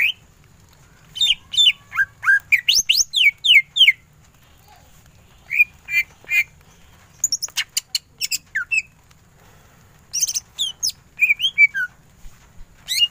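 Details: Greater green leafbird delivering ngentrok tembakan song: bursts of rapid sweeping whistled notes broken by short silences, with some harsh squawky chatter mixed in.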